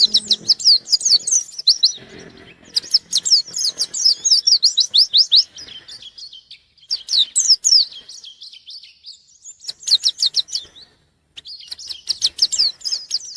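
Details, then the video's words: White-eye seeking an opponent, delivering repeated bursts of very fast, sharp, high descending chirps, each a few seconds long, separated by quieter thin twitters and short pauses. "Burung pleci gacor nyari lawan"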